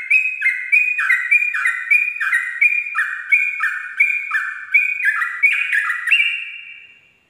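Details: Dawn 'ropel' song of a sooty-headed bulbul, used for tutoring captive birds: an unbroken chain of paired whistles, each pair stepping between two pitches, running steadily, lifting slightly near the end and then fading away.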